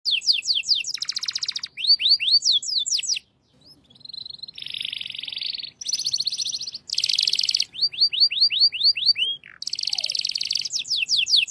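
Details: Shant-style canary song: fast series of downward-slurred whistled notes, buzzy rattling tours, a brief pause, then a steady trilled hum, more rattling passages and rising slurred notes repeated in rapid rows.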